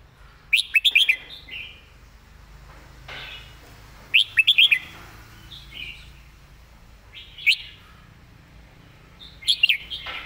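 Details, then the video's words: Red-whiskered bulbul giving a clear master song meant for teaching other birds: short bright warbled phrases of quick rising and falling notes, each followed by a softer slurred tail, repeated roughly every three seconds over a quiet low hum. "นกกรงหัวจุก เสียงดี เพลงแม่บทชัดๆ(ไว้สอนนก)"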